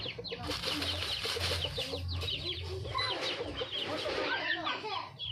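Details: Red junglefowl in the wild, a hen calling for a male: a run of quick low clucks early on, then busy chattering and many high falling chirps over a low humming background.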